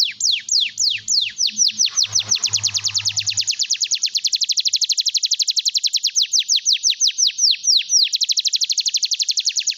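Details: Lively singing canary, played to encourage quiet canaries to sing: a long continuous high trill of rapid downward-sweeping whistles, first slower then tightening into a fast even roll, with faint low thumps early on.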